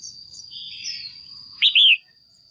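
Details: A female red-whiskered bulbul in a cage calls to attract a male or for pairing: soft twittering first, then one loud, clear, slurred double note, over a steady high-pitched whine.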